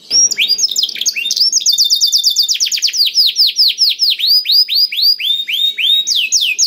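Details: Black-throated canary in full song, played to encourage other canaries to sing: a quick jumble of high notes settling into a steady trill of downward-swept notes repeated about three times per second.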